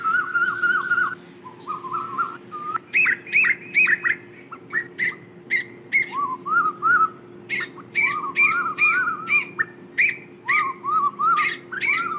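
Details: Asian koel calling its flock: repeated rising whistled notes with buzzy harmonics, given about once a second in short runs, with a few sharper clipped notes at the start and a steady low hum throughout.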